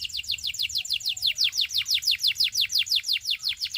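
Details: Canary singing a steady series of about twenty clear descending whistled sweeps, evenly spaced at roughly three per second, bright and loud throughout.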